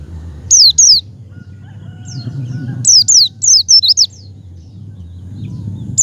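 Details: Javan white-eye lure call for a pet white-eye, to get it to open its beak: high, thin whistled notes sweeping downward, a pair first, then a quicker run of about five, over a low background hum.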